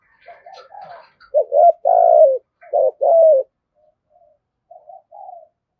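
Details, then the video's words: Urging coos from a female spotted dove used to trigger calls from wild doves: a quick cluster of hollow notes, two longer and falling, with softer answering coos and a faint chirp in the background. "tiếng cu gáy tiếng thúc và gáy gọi, cu mai gay kich boi nhanh noi"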